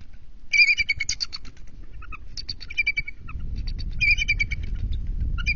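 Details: Bald eagle pair at an NCTC nest, 21 February 2023 at 12:35 am, as a female lands for an incubation switch after recent intruder attacks; two bursts of rapid, high piping chatter notes, with low rustling and thumping from the nest.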